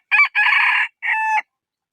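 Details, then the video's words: One cock-a-doodle-doo from a rooster. It opens with a brief raspy note, runs into a sustained coarse phrase, and ends with a smoother, level held note. The surroundings are quiet. "Suab qaib qua"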